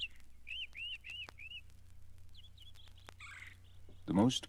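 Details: Northern mockingbird singing at Mountain Lake Sanctuary, Lake Wales, Florida: four quick, identical arched whistled notes, then sharper, higher phrases, over a steady low hum ending in a brief rough burst.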